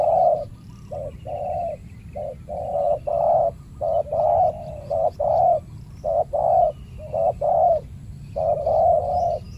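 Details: Aggressive territorial spotted dove, the dominant bird of a banana plantation, challenged by a trained decoy dove during trapping in Indonesia: steady series of short, mellow, low coos, nearly one a second, with a faint background hum.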